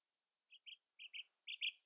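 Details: Common nightingale singing at dawn against rivals: short, bright notes delivered in quick pairs, growing louder with each pair, after two faint high ticks.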